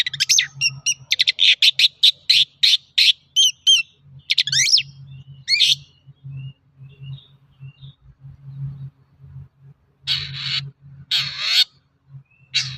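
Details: Long-tailed shrike in lively song, played to prompt other shrikes to sing: a rapid string of chattering, clicking notes and squeaky whistles, a pause, then two long harsh rasps, over a steady low hum.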